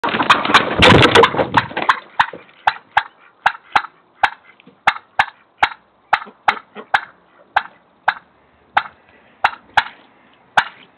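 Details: Zelda, a pet turkey, gives sharp, clipped alarm putts, about three a second, after a brief burst of flustered noise as she, chickens and ducks are scared by a neighbour's cat that attacks young chicks and mallards.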